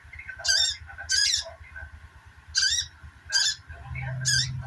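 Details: Sogok ontong chattering, meant as therapy to get silent birds singing again; loud high bursts of squeaky notes about every second, softer chirps between, low mechanical hum underneath and a louder buzz near the end.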